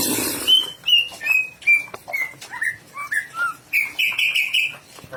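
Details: Greater green leafbird prepared for a national singing contest: a descending series of crisp whistled notes, each slightly lower, repeated more than twice a second, then a harsher buzzy trill, over faint background noise.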